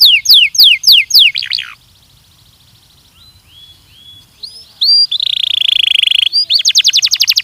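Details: Belgian canary singing for training: several sharp falling notes, a soft quiet stretch of faint high tones, then a loud sustained buzzy note and a fast rolling trill.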